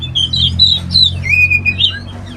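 An Oriental magpie-robin sings a quick run of clear, sweet whistles, some slurred up and down, others held level, over a faint low hum.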